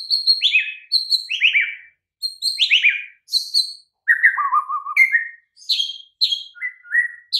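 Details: White-rumped shama singing on a training recording meant to get mute, sluggish birds to answer. Sharp high notes slide downward in repeated pairs, followed by a low rattling trill and varied clear whistled phrases.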